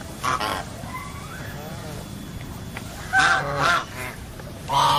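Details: A goose gives loud, brassy honks: a brief pair near the start, then a stronger doubled honk after a pause and another at the end. Low steady background noise fills the gaps.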